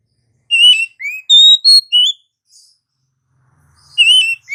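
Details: Oriental magpie-robin singing in the morning: a run of clear whistled phrases, some rising and some falling, in quick bursts, followed by a pause and another sharp rising whistle.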